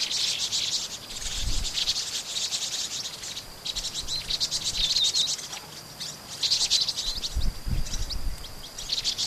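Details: Flock of vinous-throated parrotbills, a common resident that lives in flocks, in Pingtung City, Taiwan, on 16 March 2014: high, thin, rapid twittering chatter in bursts every second or two over a steady insect-like hiss and occasional low thumps.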